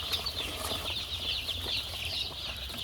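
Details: A boxful of chicks huddled against the cold on a poultry farm fills the air with unbroken, wavering high peeps from many birds at once, over a faint low hum.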